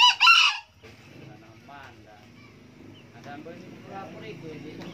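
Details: Green junglefowl, an old male that crows often, gives a brief, harsh, raspy crow right at the start. It is followed by quiet low clucks and faint background chatter.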